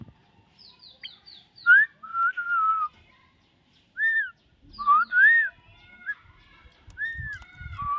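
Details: Common myna mixing quick high descending chirps with lower rising and level whistles in two bursts, followed by scattered arched notes and some low rumbling noise.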